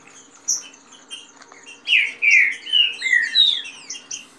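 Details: Green-winged saltators, kept birds competing, give a fast song: a run of rich, slurred whistles, each falling slightly, after thin high chirps, with female chatter and 'rain song' mixed in; a low steady hum underneath.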